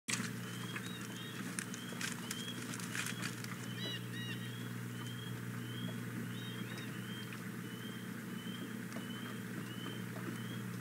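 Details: Female osprey at the Hog Island Boathouse nest, 4 May 2017, morning, begging for the fish a male has just brought: thin whistled notes, each rising then falling, repeated about twice a second over a steady low hum.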